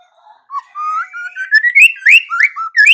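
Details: Vigorous white-rumped shama song: a soft low whistle building into a long, rising, drawn-out fluting phrase, then loud varied whistles jumping between pitches, clean and without other sounds.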